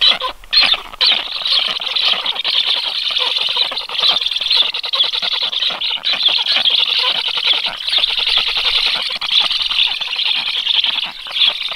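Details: Black stork chicks at a nest on 13 July around 12:34, chirping by reflex and readying to be fed as an unknown adult stork moves near the nest; dense, continuous high chattering with rapid overlapping chirps throughout.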